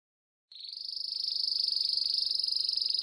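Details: Canary song for teaching young canaries, described as rare: after half a second of silence, a single steady, very fast high trill that swells slightly and runs unbroken to the end.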